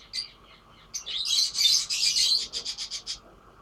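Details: Lovebirds singing: a quick squeaky note, then a dense burst of shrill twittering, ending in a rapid series of about eight evenly spaced high chirps.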